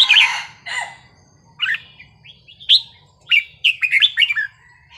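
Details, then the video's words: Red-whiskered bulbul singing a wild-style (pleng pa) song, played to stir up listening birds: a loud rich opening burst, then a string of lively bright whistled notes, closely packed toward the end. "นกกรงหัวจุกเพลงป่า สำนวนเพราะ ๆ เปิดยั้วนกฟังนกคึก"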